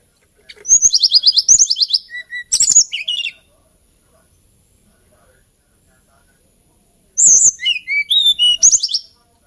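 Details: Hill blue flycatcher singing its lilting song: a run of rapid high trilled notes and whistles lasting about three seconds, a long silence, then another bright, tumbling phrase.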